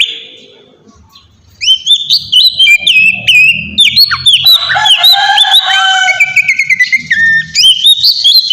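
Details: Oriental magpie-robin singing a lure song meant to provoke other magpie-robins into answering: after a quiet second and a half, a dense, continuous run of varied whistles, rising sweeps and rapid chips fills the rest of the recording over a faint low rumble.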